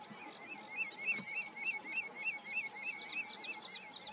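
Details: Terek sandpiper resting for a few hours on the North Sea coast at Pütte Mahnhamm, Cuxhaven district, Germany, 21 May 2020, giving a rapid run of clear, fluty, up-and-down notes, about three a second, over faint hum and distant birds.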